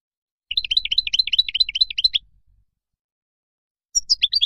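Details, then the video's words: Goldfinch in wild song, played for teaching chicks: a rapid, rolling run of chirpy twitters lasting nearly two seconds, then silence, then a higher sharp phrase starting near the end. "تغريد الخلوي أو البري لطائر الحسون"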